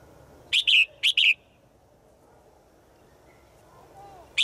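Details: Bird, a female calling to the male in the forest: two pairs of short, bright high chirps in quick succession, a long quiet gap, then one more chirp at the end.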